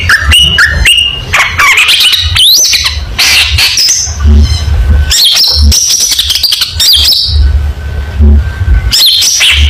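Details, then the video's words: Contest-style long-tailed shrike song with showy shots. Rapid bursts of harsh squawky notes alternate with clear rising whistles and sweeping slurs. Brief gaps separate the bursts, over a steady low hum. "Burung Cendet Gacor Full Tembakan Mewah Materi Lomba"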